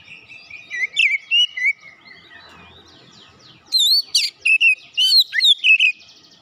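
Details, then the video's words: Oriental magpie-robin, described as a fighter type, singing: softer opening warble of twittering notes and falling glides, then a loud run of sharp whistled and buzzy notes repeated roughly every half second. "terapi tes Kacer bahan cepat keluar karakter fighter"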